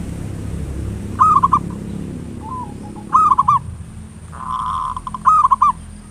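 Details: Local zebra dove giving ngayer nulop song as a lure to trigger singing: three rolling bursts of quick coo notes about two seconds apart over a steady low rumble, plus a brief sustained mid-pitched tone.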